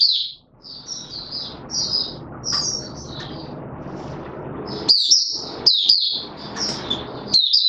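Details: Caged white-eye pushed on form, recorded 31 December 2021, singing its opening song: shrill, rapid twitters, first half over a loud steady background hiss, then crisper, clearer phrases standing out.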